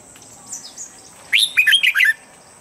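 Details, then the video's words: Red-whiskered bulbul, a training voice played each morning to condition birds: one short burst of clear, warbling whistled notes swooping between mid and high pitch, preceded by faint thin chirps, with a steady high hiss behind. "Luyện giọng chào mào âm chuẩn mỗi sáng giúp chim nhanh căng lửa"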